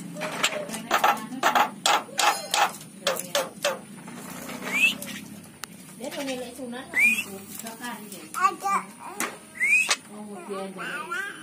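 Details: Javan myna said to have forgotten its own voice produces rapid speech-like chatter, then rising whistled slurs and short squeaky phrases repeated about every two seconds.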